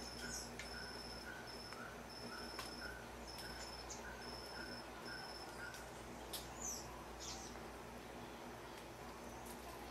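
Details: A male helmeted manakin, not singing, gives two sharp, downslurred call notes several seconds apart, over steady high insect-like pulses and soft background hiss.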